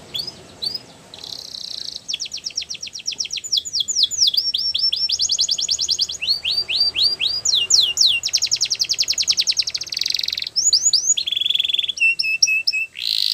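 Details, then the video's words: Belgian canary delivering a long varied song: buzzy trills alternating with series of rapid downslurred whistles, several evenly paced note runs, then short steady whistled tones at the close. "Do This And Your Canaries Will Never Stop Singing | Belgian Canary"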